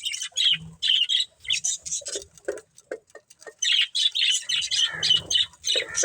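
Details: Pet budgerigar family chirping: bursts of high, scratchy chirps and short squawks about twice a second, with brief silent gaps and a few lower clicks between calls.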